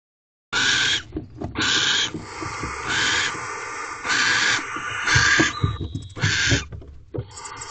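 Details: Barn owl owlets in a nest box hissing as their father delivers a rodent, 5:34 am on 21 April 2023; loud, harsh, breathy hisses in bursts of about a second, five or six in a row with short gaps.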